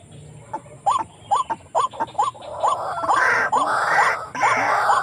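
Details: White-breasted waterhen lure calls near village housing: repeated hooked rising notes, the second half partly drowned by loud rushing noise.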